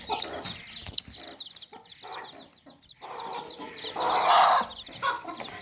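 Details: Chicks chirping in a tokri, a woven basket, with hens clucking: loud piercing peeps at the start, then a run of soft chick calls and a longer rough, throaty hen sound near the end.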